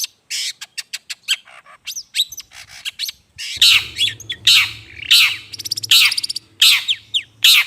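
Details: Long-tailed shrike calls played as a bird lure: thin clicking notes first, then harsh grating squawks roughly every half second over a faint low hum.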